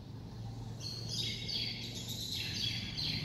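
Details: White-rumped shama in a rousing, many-phrased song style, giving rich warbled and whistled phrases that shift in pitch, over a steady low hum.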